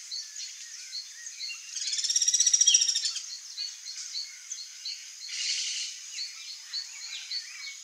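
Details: Free-living ringed kingfisher producing one strong, fast, rasping rattle that swells and fades over about a second and a half, then a weaker brief rattle, over a backdrop of regular thin chirping from other small creatures.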